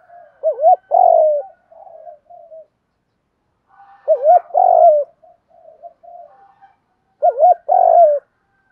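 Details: Spotted dove song, male and female, used to prompt doves in training to coo: three phrases about every three seconds, each a quick wavy double hoot and long burry coo trailed by softer low notes.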